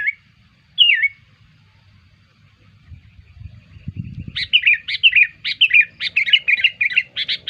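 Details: Sooty-headed bulbul lure call for attracting bulbuls: two brief slurred chirps near the start, a quiet stretch with low rumbling, then a fast run of bright, clipped chirps repeated several times a second to the end.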